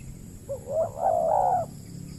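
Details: Spotted dove coos during decoy trapping on peat land in the Riau Islands, Indonesia, where a wild dove calls often but avoids fighting the lure bird. A single mellow phrase of about a second opens with a short note, then swells into a longer steady coo.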